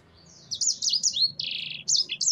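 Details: Black-throated canary, called sanger, in gacor ngerol singing style: after a brief quiet start, high sweeping whistled notes, then a buzzy trill and more rapid slurred whistles.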